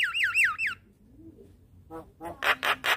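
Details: Javan myna morning lure song for training a caged myna: three looping downward whistles in quick succession, a pause, then harsh grating squawks repeated about every fifth of a second.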